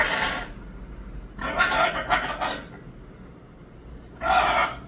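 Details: Moluccan cockatoo letting out three loud, coarse screeches: a short one, then a longer, broken rasping cry, and after a quiet pause a final harsh shriek.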